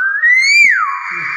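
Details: Common hill myna, a talkative caged bird, giving a loud clear whistle that rises slowly then swoops down and holds a steady buzzy tone, with people chatting before and after.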